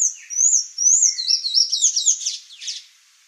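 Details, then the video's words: Sayaca tanager song in a thin, high register: drawn-out wavering whistles give way to a rapid, squeaky chattering twitter that trails off. "Sayaca Tanager Bird Song"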